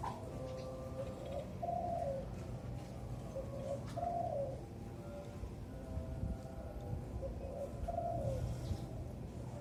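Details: Zebra dove aged four to five months, caged and hoisted aloft to train its song early; soft rolling coo phrases repeat roughly every two to four seconds over a low steady hum.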